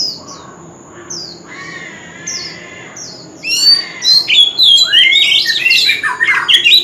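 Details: Male White-rumped shama in contest-style singing, with continuous forest-type song. Soft, scattered high notes come first, then a loud burst of rapid, varied whistles, sweeping slurs and trills.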